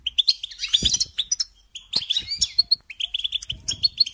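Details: European goldfinch, kept for song training, giving fast high twittering phrases and sharp chirps separated by short breaks, with a few soft clicks.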